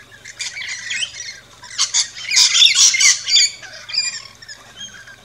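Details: Feeding in an Australian backyard, rainbow lorikeets squabble in dense, shrill screeching and chirping, with rapid overlapping harsh notes that swell in the middle and then thin out.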